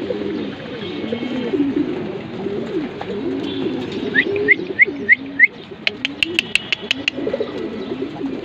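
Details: Four pairs of racing pigeons in a loft in Mirpur, Dhaka, give low, throaty, wavering coos, joined by a brief run of thin rising chirps.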